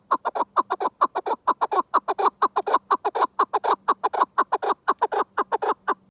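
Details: Chukar partridge giving a long, rapid run of repeated clucking notes, about two per second, harsh and even, with a faint low hum underneath throughout.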